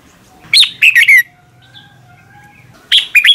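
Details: Red-whiskered bulbul singing in the morning: a cluster of clear, liquid whistles with sharp upward and downward slurs, a pause with faint low humming and distant tones, then the phrase begins again.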